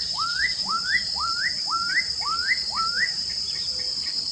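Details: Black-capped donacobius song: six clear whistled notes in quick succession, each rising sharply and then levelling off, about two per second. A constant shrill insect hum sits in the background.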